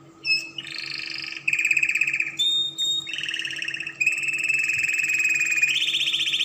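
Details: Song of a Spanish Timbrado canary for tutoring young birds: a chain of rolling, bell-like trills at changing pitches, broken by short pure whistles, closing on a high fast trill.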